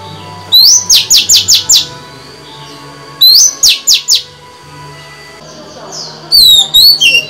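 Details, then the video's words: Female white-rumped shama singing to stimulate males, in phrases of five or six quick, high, rising-falling whistled notes, repeated twice with a pause, then softer slurred whistles and a final sweeping phrase. "Chòe than mái hót, kích bổi mau căng lửa! Betina kicau kacer !"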